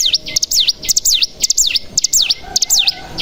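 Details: Bar-winged prinia lure sound used to provoke other birds into song: a quick run of bright, swooping notes that dip down and back up, repeated several times a second in an uneven chatter.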